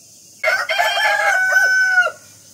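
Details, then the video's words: Rooster crowing in the morning: a loud harmonic cock-a-doodle-doo opening with choppy notes, then a long sustained level tone that ends with a short drop, with no other clear sounds. "rooster Calling in the morning"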